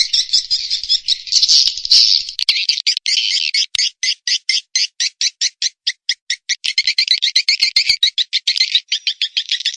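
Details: Swiftlet calling and roosting sound used to attract birds to Indonesian bird houses: a dense buzzy chatter that breaks into rapid, regular clicking chirps, then thickens again.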